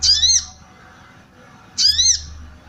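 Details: Calling female sooty-headed bulbul, used to arouse male bulbuls and attract wild ones. Two loud, grating chirps with strong overtones are separated by nearly two seconds of quiet, with a steady low hum behind.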